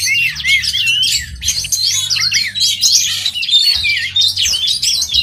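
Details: At a songbird contest, oriental magpie-robins sing in a crowded overlapping chorus of clear whistled sweeps, short rising notes and chattering runs, continuous throughout.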